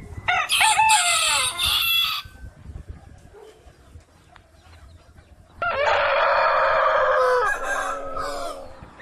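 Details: Rooster crowing at dawn: a bright, high harmonic crow with falling ending, a quieter pause with low noise, then a long sustained lower crow with a drawn-out falling tail.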